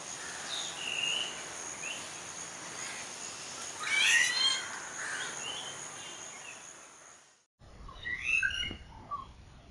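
Rufous treepie giving short, harsh and fluty notes in a brief burst, then more scattered calls after a pause, over steady hiss and other birds.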